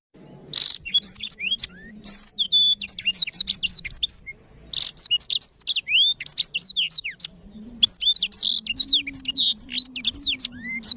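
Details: Black-throated canary in full song, a clear voice used as a tutor for canaries, gives a long, rapid, high twittering song of varied whistles and trills, nearly continuous with brief pauses, over a faint hum.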